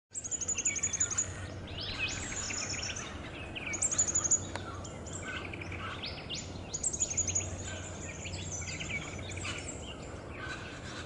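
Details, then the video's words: Buff-rumped Thornbill at Bartley's Block, Chiltern-Mt Pilot National Park, Victoria, Australia, 6 May 2021, giving very high, thin tinkling trills in short bursts every few seconds, mixed with busy twittering chatter over a low rumble. "Buff-rumped Thornbill (Acanthiza reguloides)"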